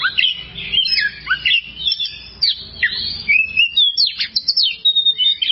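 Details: Oriental magpie-robin tutor song for training kept birds: a lively string of short chirps and swooping whistles, quickening into rapid repeated notes near the end.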